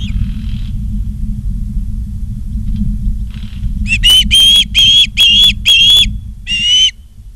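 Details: Ospreys at a nest in Charlo, Montana, on 28 August 2023 at 16:08, on a live nest camera: after quiet, a run of six loud, shrill whistled notes, each slightly rising, about half a second apart, over a steady low rumble.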